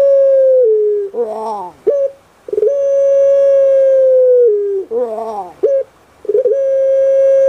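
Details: A pet Barbary dove (Streptopelia risoria, "puter pelung") with a soft voice gives long, steady coos, each held over a second before dipping. A short rolling burst falls between them, and the pattern comes twice.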